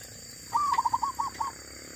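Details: Wild female zebra dove. A brief mellow phrase: a drawn-out opening note, then five or six short rounded coos in quick succession over steady background hiss.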